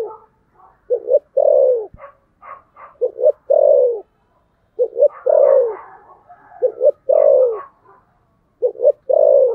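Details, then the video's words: A spotted dove in a cooing contest, thổ sấm style, repeating short-short-long phrases that end in a loud falling coo. Weaker cooing and burbles from nearby doves fill the spaces. "thổ sấm gù/ Cu gù đấu"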